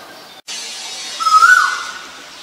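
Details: Asian koel calling: a single loud, clear whistled note that rises, holds briefly, then slides down, over a steady background hiss.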